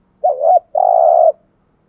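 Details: Single spotted dove coo in the 'thúc gù' style for luring wild doves, a wavering two-lobed note running into a longer, even, rapidly pulsing tone.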